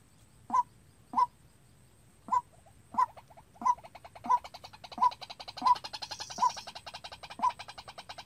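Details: Trapping decoy White-breasted Waterhen calling unprompted: crisp kwak notes about every 0.6 seconds, joined halfway by a fast rattling, pulsing background sound that fills the rest.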